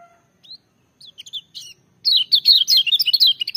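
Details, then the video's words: Loud song of a lemon-bellied white-eye. A few separate high, sliding whistles open it, then a fast, ringing cascade of sharp chirps and warbled notes tumbles continuously to the end. "Kecial Kuning joss gacor menggelegar tapi merdu"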